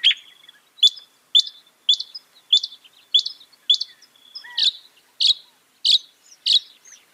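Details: A Northern mockingbird repeats one sharp, high chip about every half second, a single lower slurred note partway through, against a clean background.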